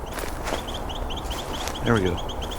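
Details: During a winter Christmas Bird Count in about −10 °C weather, a pair of Carolina wrens both give one of their many calls, one close by and one farther away. It is a steady run of quick, high, thin notes, about four or five per second. A man speaks briefly over low outdoor rumble.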